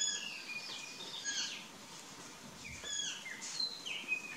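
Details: Plush-crested jays in the corn along a trail trade a lively jumble of short, bright calls and sliding whistles, several voices overlapping, against a faint outdoor hiss.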